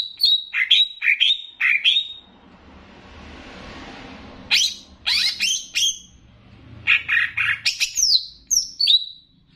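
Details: Training master of Banyuwangi greater green leafbird with bebeci-style variations: bursts of sharp, rising and falling whistled notes, separated by a pause with soft background hiss.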